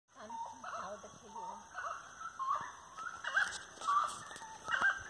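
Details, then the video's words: Grey-necked wood rail singing at 18:30 on 25 March 2022 while walking along lanes. Loud, firm nasal notes repeat in the second half, with a person speaking low wavering tones over the opening seconds. "Canto da Saracura 'Três Potes'"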